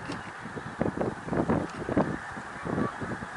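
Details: Snow geese honking at Middle Creek Wildlife Refuge, Pennsylvania, on 1 March 2021, a thick chorus of short nasal calls piling over one another against a continuous background roar of the flock.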